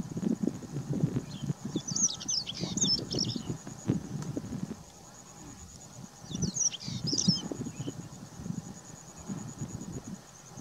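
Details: A male white-tailed stonechat (Saxicola leucurus) sings while fanning its tail in the wind: two brief, scratchy, high warbled phrases about four seconds apart, over heavy wind rumble and a faint steady insect whine.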